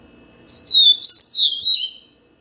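A yellow-bellied seedeater sings a quick, high twittering phrase of sweet whistles and buzzy slurs, lasting about a second and a half, with faint low background hum.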